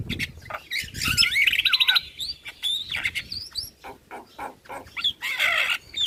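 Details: Javan myna (jalak kebo) lure song: a fast buzzy trill and wavering whistles, then spaced clicks and chips and a final harsh rasping burst; a soft low thump at the start.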